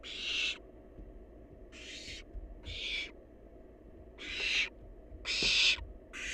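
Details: Wild barn owl chick feasting on leftover prey gives six harsh, noisy hissing screeches of varying length at uneven intervals, with low thuds in the background.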